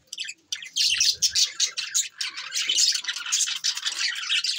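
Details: Budgies chattering on December 22, 2023: a nearly continuous stream of bright, buzzy chirps and warbled notes, rapid and overlapping, after a short quiet opening.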